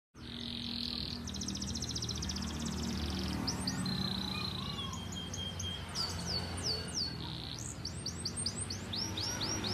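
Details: A canary sings a varied song: buzzy steady trills, then rapid series of bright downward-sweeping whistles repeated about three per second, alternating with flat sustained notes, over a low background rumble.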